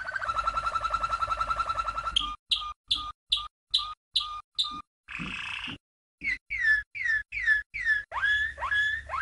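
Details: Champion Malinois canary from 1997 singing a training song for young birds: a rapid rolling trill, then separate clipped notes with pauses, a brief rough burst, and sharp downslurred whistles repeated in a row.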